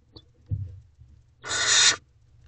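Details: Young barn owls in a nest box at night, 3 May 2023, one owlet eating a mouse undisturbed by its siblings; soft scratching and shuffling, then a single long rasping hiss lasting about half a second.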